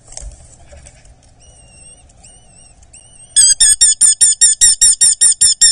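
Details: Eurasian hobby at a nest in Dorset, a chick being fed, 8 July 2024: soft faint whistles at first, then a loud run of sharp, arched, harmonic squealing notes repeated about two and a half times per second.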